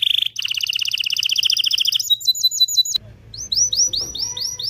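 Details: Excited canary singing to stimulate males and prepare females for mating: fast buzzy trills, a rapid rattling run, then a series of clear rising whistled notes, all high-pitched and loud.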